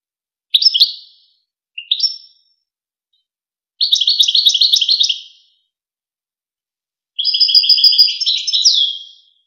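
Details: European goldfinch song from the renowned Wakr Touzgha tape for training goldfinch chicks and hybrids. Rising chirps and a short phrase lead into two long, rapid, tinkling trills, the last ending in a descending slur.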